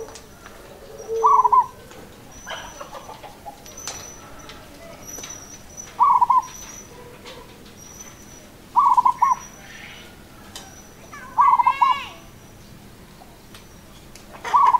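A zebra dove gives short, bubbly, staccato cooing phrases every two to three seconds, with faint chirps of other small birds behind.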